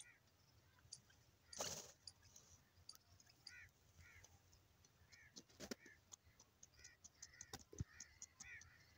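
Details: Grey francolin calling, short curved rising notes repeated about every half second to a second in a rhythmic series, over low background hum with several sharp clicks and a loud burst of noise near the start.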